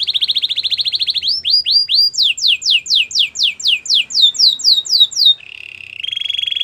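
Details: Belgian canary singing to prompt a silent canary: a fast even trill, then a long sequence of rising and falling whistled sweeps repeated about twice a second, ending in soft steady rolls.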